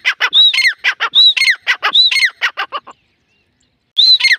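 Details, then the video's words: A female grey francolin gives loud, harsh, rhythmic squawking notes mixed with ringing whistled phrases that rise then drop sharply, repeated in quick bursts. "gray francolin teetar sound"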